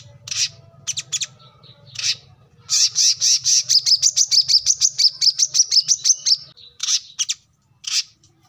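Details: Brown-throated sunbird (kolibri kelapa, manggar, wiceh) singing vigorously: scattered high chips, then a fast run of sharp, high notes over about four seconds, ending in a few spaced chips. A low steady hum sits underneath.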